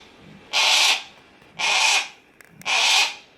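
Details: Harris's hawk, a captive bird at a bird park calling repeatedly, gives three harsh, rasping screeches, each under half a second long and about one second apart, against a quiet background.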